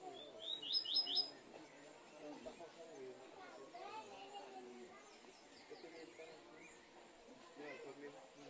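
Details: Sayaca tanager chicks being fed by their mother give a quick burst of high, thin chirps, then softer squeaky calls over a low background murmur that may be voices. Finding: Sayaca tanager.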